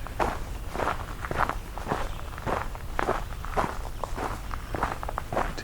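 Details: Someone walks outdoors in the countryside, and the footfalls land at an irregular pace of nearly two per second with soft rustling between them.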